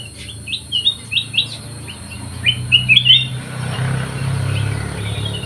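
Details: Black-crested bulbul singing vigorously in an aviary: a run of short, bright whistled notes in quick succession, then a louder, richer warbled phrase, over a steady low hum.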